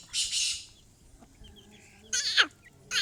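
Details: Female black francolin (kala teetar) calling: a harsh, hissing burst early on, then a second rasping note sweeping sharply downward, with a third harsh burst starting at the end and quiet pauses between.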